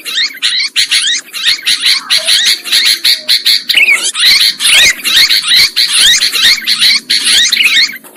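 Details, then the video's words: Sooty-headed bulbul sounds played as a lure for trapping birds: dense, busy chattering of harsh, rapid notes, overlapping as if from several birds, continuing almost without pause over the whole stretch. "Suara Pikat Burung Kutilang Ampuh"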